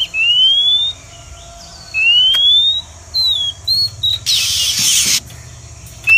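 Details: Female Oriental magpie-robin call played as a trapping lure for wild birds: smooth rising whistles about once a second or two, short clipped notes, and one long burst of harsh hissing noise.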